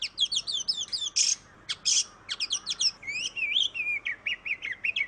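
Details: Oriental magpie-robin chattering song, used as a lure for a reluctant singer: fast twittering chips, two harsh noisy bursts, then rising and falling whistled slurs and a run of repeated sharp notes.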